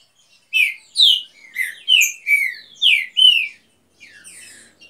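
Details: A single phrase from a green-winged saltator of a breeding aviary pair: about seven loud, full whistled notes, several sliding downward, delivered evenly over roughly three seconds, followed by a soft trailing buzz.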